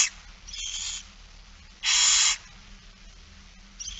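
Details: Barn owl feeding on 8 September 2019 at 16:02. A soft, rough hiss is followed by one strong, rasping screech, with another faint hiss starting at the end.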